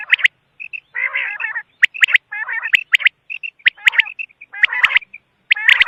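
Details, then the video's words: Quail gives harsh, buzzy chattering bursts mixed with short high piping notes and sharp clicks, about one burst every second, with no other sounds. "Batair ki awaz|quail sound"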